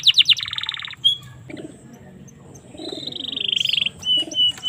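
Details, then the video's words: Canary song for use with young canaries: a burst of quick pulsed notes, a short whistle, a quiet gap, then a rapid high trill and brief whistled phrases. "suara burung kenari cocok untuk masteran maupun pancingan kenari paud"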